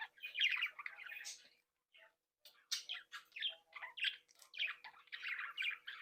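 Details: Breeding flock of budgerigars, young birds said to be happy, playing and leaving the nest, chattering in rapid, scratchy warbles and chirps, with a brief pause, then busy overlapping twitters and a faint steady hum.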